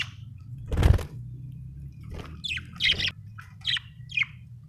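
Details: Budgerigar chirping: a loud broadband burst, then short scratchy chirps and brief whistled notes spaced about half a second apart, over a low steady hum.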